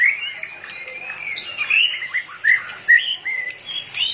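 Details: White-rumped shama in full fired-up form, tail pumping, gives a flowing run of mellow whistles and sharp upward-flicked notes, some lower and fuller, at an uneven pace of roughly two per second.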